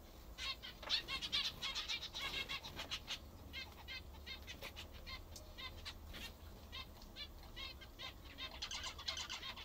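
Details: Several captive zebra finches feeding on what they like best keep up steady, overlapping nasal beeping calls, a near-continuous chatter of short buzzy notes.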